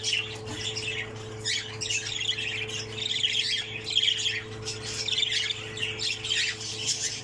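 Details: Last remaining chick from a nest of six, a pseudo Texas opaline budgerigar, heard as continuous scratchy chattering with bursts of sharper squawks, backed by a constant low hum.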